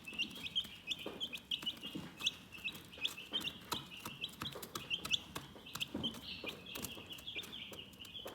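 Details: Chickens in a calm setting, many high thin chirps overlapping almost continuously, some short and some drawn out, with frequent sharp clicking or tapping sounds scattered throughout.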